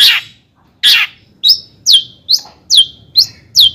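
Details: Long-tailed shrike lure song to stir other shrikes: two rough, grating bursts followed by a regular series of sharp downslurred whistles, roughly two or three each second.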